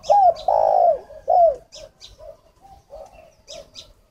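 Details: Spotted dove decoy for luring wild doves, Ba Vì, Hanoi, Vietnam; three loud slurred coos falling in pitch, then softer muttered notes, with brief sharp chirps and clicks from other birds.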